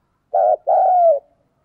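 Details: A decoy spotted dove gives a low, smooth two-part coo: a short note, then a longer sustained one that slowly falls at the end, with no other sounds.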